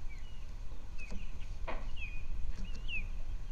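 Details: Male and female ospreys on their nest on Captiva Island, Florida, USA, on January 2, 2023, picked up by a nest camera: a few thin, whistled, upslurred chirps, spaced apart over a steady low rumble of background noise.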